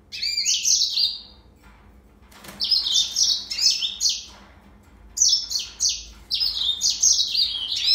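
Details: Serinus mozambicus, the yellow-fronted canary, delivers rapid twittering song phrases: a sweet trilled run, a pause, then two more bursts of descending, chirpy notes over a quiet low background hum.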